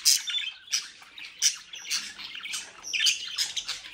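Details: Several captive-bred budgerigars, described as mischievous, in the Den Haag region of South Holland, Netherlands, give harsh squawky chirps in bursts about every half second to second, with brief quiet gaps between calls.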